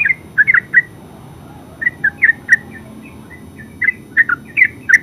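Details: Yellow-vented bulbul (terucuk) delivering scattered ngeropel song notes: bursts of two or three bubbly chirps separated by short pauses, a softer quiet stretch in the middle, over a low murmuring background.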